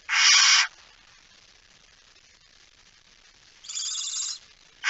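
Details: Barn owl at the nest, recorded 19 September 2019 at 05:28; two harsh, broadband hissing bursts, the first loud and under a second long, the second softer, separated by about three seconds of quiet.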